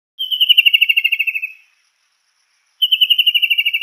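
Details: Kingfisher giving a fast descending trill of about fifteen sharp, high notes that slows and drops slightly in pitch over a second and a half, then repeats after a pause, with no other sounds.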